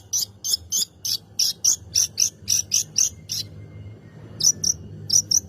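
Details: Long-tailed shrike lure song to provoke other birds to sing: a quick, even string of shrill high notes, roughly three per second, a brief gap, then a few paired notes.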